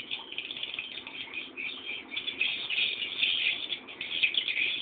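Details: Swiftlet chicks waiting for a parent to return, giving a dense, continuous chorus of high, scratchy chirps that overlap without pause and swell slightly in loudness.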